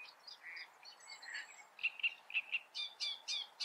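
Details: Great reed warbler singing: harsh, chattering phrases of short repeated notes, some low and croaky, then louder grating syllables in quick pairs toward the end, about two per second.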